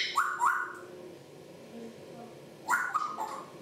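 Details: Captive African grey parrots talking and making noises; two bursts of loud sliding whistled and squawky syllables, separated by about two seconds of quieter low chatter.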